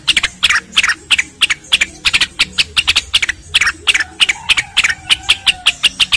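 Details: Cucak rengganis singing a training track for competition and home birds: quick runs of bright, high chirped notes, about three per second, with a few thin drawn-out whistles near the end.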